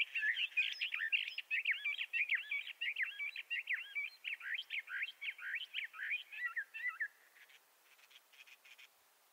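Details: Bendire's thrasher pouring out a sustained, rapid warbling song for about seven seconds before stopping, leaving faint background chirps.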